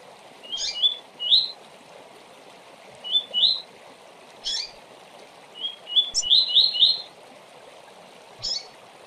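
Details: Fast tui-tui song of a double-collared seedeater, used to tutor young males for song tournaments: short bright rising whistles in pairs and quick runs, with sharp high chips in between, over a constant hiss.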